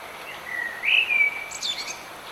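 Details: Bird singing in the rain: a thin, level whistled note that slides slightly upward into a brighter whistle, then a quick high twittering flourish, all over a steady hiss of falling rain.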